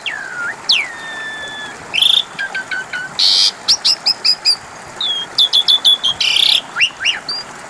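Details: Asian pied starling song meant as a lure to draw replies from other birds: a long falling whistle, harsh noisy bursts, and rapid series of clipped chirps repeated in quick runs.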